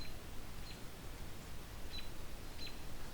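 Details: Soft camera shutter clicks sound three times over a steady low background hiss, with no animal voice.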